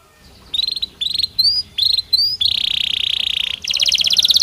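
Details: Belgian canary singing: high whistled phrases rising in pitch, then a long rapid buzzy trill and a faster rattling trill, all loud and close.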